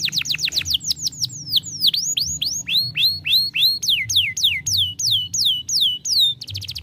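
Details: Young canary singing a stimulating song: crisp, high whistled notes sweeping downward, repeated in fast groups, switching between several note shapes, ending in a short rapid buzz.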